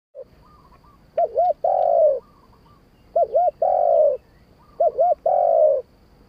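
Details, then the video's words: Spotted dove singing in the wild 'kharom pa' style: each phrase two short hooked coos followed by one long, slightly falling drawn-out coo, repeated three times with quiet gaps. "นกเขาใหญ่ คารมป่า"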